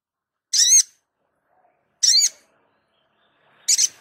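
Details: Sogon, singing vigorously, recorded as a tutor track for training other birds: three short, harsh, raspy high notes with layered bands, spaced about one and a half seconds apart in silence.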